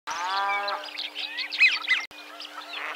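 American wigeons calling: a nasal, buzzy note, then a busy mix of short squeaky whistles from several birds, over a steady low hum.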